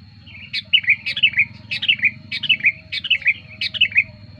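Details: Sooty-headed bulbul song used as a lure for wild birds and as tutor material: bright, liquid whistled phrases of three or four notes, repeated roughly every half second to second, over a faint low hum.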